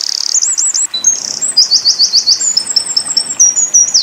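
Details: Winter koning tembakan bursts for tutoring pleci: opening curled rolling notes, then a string of falling trill notes and thin sliding whistles, ending in a downward sweep.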